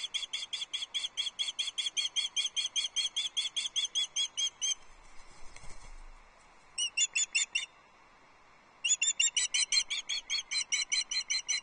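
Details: Nest camera at Loch Arkaig, 6 July 2024: a female osprey keeps up hours of fish calling to an unresponsive mate. A long string of shrill repeated whistles breaks off with soft rustling, then a short burst and another rapid series follow.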